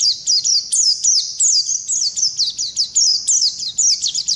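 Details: 'Ngalas' wild-type Oriental white-eye pouring out continuous 'ngerol' song as a tutor recording: shrill downward-slurred notes delivered in quick regular pulses, about three or four each second, without pause.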